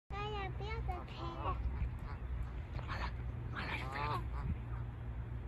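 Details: Canada geese honking before takeoff, a few harmonic honks early on and a burst of overlapping calls near four seconds over steady low rumbling noise.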